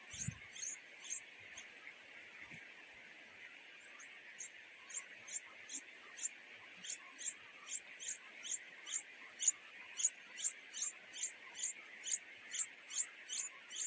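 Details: Two hungry nightingale nestlings begging for food from their mother: after a quiet start with a faint whisper, a fast run of about twenty-five high chirps grows louder and steadier, over a background hiss.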